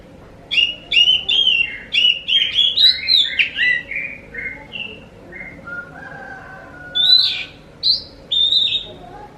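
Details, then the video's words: Lure song of an Oriental magpie-robin meant to draw answers from other magpie-robins; rapid clusters of sharp whistled notes, then a long steady lower whistle, and a final burst of high clear phrases. "Pancing burung Kacer anda dengan suara burung ini"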